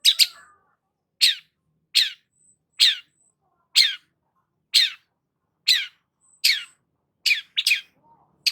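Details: Long-tailed shrike singing vigorously: sharp, harsh descending chirps spaced about a second apart, each sweeping down from very high to mid pitch, with faint thin whistles between them.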